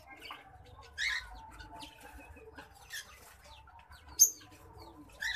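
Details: White-headed munia (Lonchura maja) courtship song: soft short high thin bursts and a brief whistled note, with faint fluttering and rustling between.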